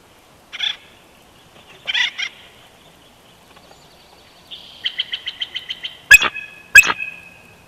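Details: Nest-cam bald eagle, a female at Big Bear Valley, 12 June 2021: scattered squeaky notes, then a fast train of about eight high piping notes, followed by two loud sharp cracks.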